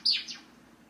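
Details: Caged pet Java sparrow calling for its owner, who is getting up to leave: one high, clear chirp that slides downward, then a softer echoing tail note, against quiet indoor background.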